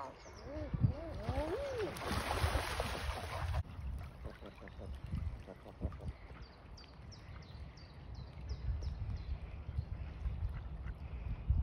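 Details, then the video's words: Common eiders at WWT Washington; one gives a few soft, crooning "woooo" cooing notes that rise and fall early on, followed by a burst of rushing noise, low rumble and faint chirps from other birds. "Common eiders"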